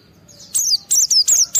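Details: A white-eye sings in high emotion, used to bait others into singing. The short phrase has five quick, high-pitched descending chirps in rapid succession.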